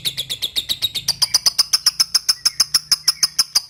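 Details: Indonesian ngetik-style lovebird calling a rival, a training recording for young birds: rapid, sharp, shrill chattering notes repeat evenly throughout, becoming cleaner and more piercing after the first second.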